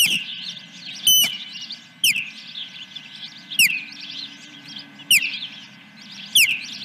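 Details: Nest ospreys at Dunrovin Ranch, 10 July 2021, first fish: loud, high downward-slurred whistles about every second and a half, with busy soft chirping between them and a constant low hum.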